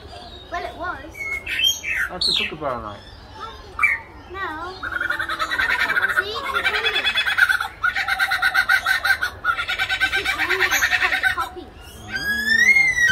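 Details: Lyrebird mimicking the calls of other birds: a varied string of sharp squawks, whistled slurs and rising and falling chirps, then dense stretches of fast, chattering, overlapping notes, and a final series of sweeping whistles.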